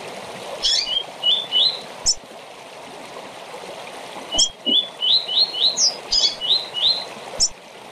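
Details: Rusty-collared seedeater short tournament song: phrases of rising whistled notes with a sharp high flourish, the second phrase longer with a doubled ending, separated by clicks over continuous hiss.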